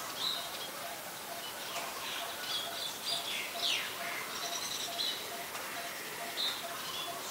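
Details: Scaly-breasted munia recorded in Ubon Ratchathani, Thailand, on 7 January 2020: scattered thin, high whistled notes and a few sharp downslurred chirps over steady hiss.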